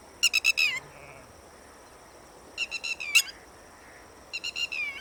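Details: Red-wattled lapwing, a bird that prefers running to flying, giving three loud bursts of rapid sharp piping notes, each run of four or five ending in a downward slur, separated by pauses of about two seconds.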